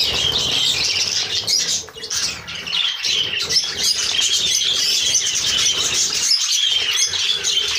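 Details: Hand-tame pet budgerigars chatter in a steady, busy stream of high chirps and squeaky warbles.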